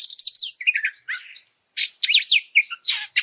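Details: Energetic oriental magpie-robin song meant to excite other birds in training: quick high chirps, short descending whistled phrases and buzzy bursts separated by brief pauses.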